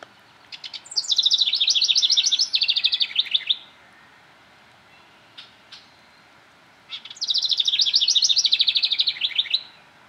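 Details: A house wren at Rosetta McClain Gardens, Toronto, Ontario, Canada, on 4 May 2009 gives two bubbling, rapid chattering trills, each about three seconds and slightly falling, about six seconds apart, over faint hiss.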